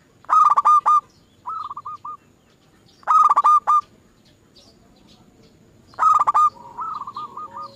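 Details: Zebra dove song from a lure recording meant to set other caged doves singing: three loud stuttered cooing phrases about three seconds apart, each quickly answered by a softer, more distant dove phrase.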